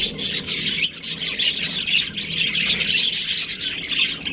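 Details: Breeding pair of Australian budgies chattering nonstop: scratchy, raspy high chirps and squeaks in rapid bursts, with a faint low hum underneath.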